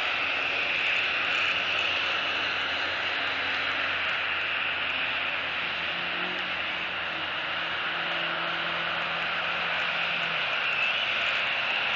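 Steady broadband rushing noise, like wind or a distant engine, with no animal calls.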